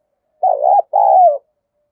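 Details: Decoy spotted dove calling wild doves: two loud, hoarse, rolling coo notes in quick succession, the second longer and gently falling, with silence around them.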